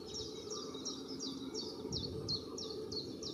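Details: Long-tailed tit pair at work on their ball-shaped nest of twigs and lichens, gathering feathers, recorded from a distance: a fast series of sharp, high descending chirps, about ten evenly spaced notes, over low steady noise.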